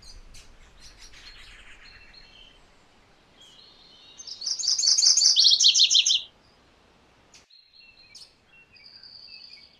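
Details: MacGillivray's warbler delivers a loud, hurried two-part song, high chattering notes sliding into lower slurred ones, set among softer chips and a short thin trill near the end.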